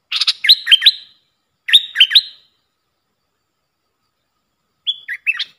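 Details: Decoy sound of a Puff-throated bulbul for training fledglings and hand-fed young: two loud chattering phrases of hooked, whistled notes sliding down then up, a long pause, then a softer closing phrase.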